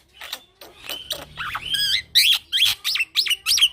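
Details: Young male black-winged myna singing rolling ngeroll song: harsh broadband notes opening into a fast series of loud looping whistles, about three per second, rich and buzzy.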